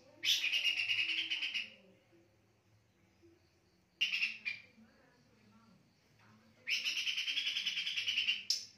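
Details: Pin-striped tit-babbler (Mixornis gularis) singing at night in bursts of rapid, buzzy notes, each run lasting a second or two.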